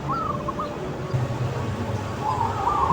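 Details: Loud-voiced local zebra dove singing in the open: a short bubbling coo phrase, then a softer, longer rolling phrase, with steady low-frequency hum beneath.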